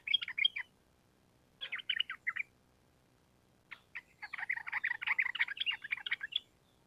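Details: Energetic sooty-headed bulbul singing in long rapid 'ropel panjang' style. Short burbling bursts give way to a sustained stream of fast, warbling, chattering notes near the end.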